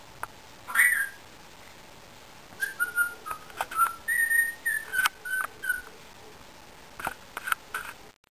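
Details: Pet Indian ringneck parakeet whistling a melody of smooth, steady whistled notes that step up and down, with a brief harsh squawk at the start, soft clicks and a quiet indoor background.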